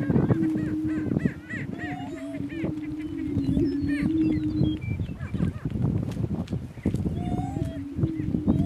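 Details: Male Greater Prairie Chickens in a dominance battle on a northeast Kansas lek give sustained low booming hoots, broken by short pauses, with fainter whoops and cackles above and rustling noise underneath.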